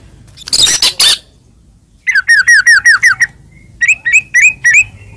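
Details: White-rumped shama song, a training recording packed with varied fill-in phrases: harsh noisy bursts, then a quick run of about nine bright down-slurred notes, then a row of sharp up-swept notes after a pause.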